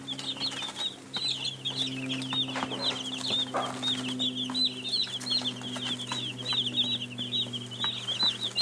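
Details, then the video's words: Young chicks cheeping in a busy flock, rapid high-pitched peeps tumbling over one another throughout, with a low mechanical hum and occasional bumps in the background. "Baby Chicks sound effects"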